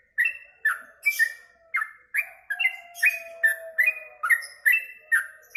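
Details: Yellow-vented bulbul in full song after mealworms: regularly spaced bubbly chirps, rising then slurring down, roughly two per second, with sharp high clicks and a faint low whistle running underneath midway.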